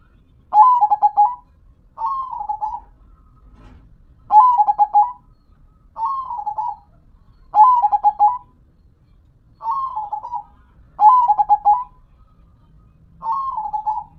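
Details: Perkutut, a local zebra dove, in steady song: eight short cooing phrases, each a rapid burst of pulsed notes ending in a slurred coo, delivered about every one and a half to two seconds.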